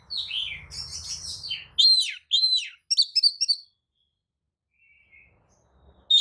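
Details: Oriental magpie-robin song played to make rival birds respond: a long buzzy, chattering phrase over low rumble, then sharp downslurred notes and rapid clipped chips, then near silence.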